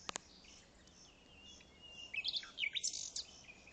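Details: Unidentified wild bird singing in a special protection area at Pelayos de la Presa, Spain: faint high notes at first, then a burst of sharp, high chirps and twittering phrases, with a soft background hiss.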